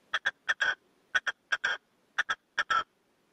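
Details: Red-legged partridge decoy, a caged male singing to wild birds, gives harsh chuffing phrases of two to four notes, each group closing with a longer grating note, repeated about once a second.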